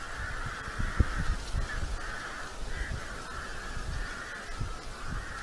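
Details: Red-footed falcon family at a nest cam in Polgár, Hungary, giving harsh, rasping chattering calls in quick, uneven bursts, a few per second, over a steady low rumble of wind and knocking.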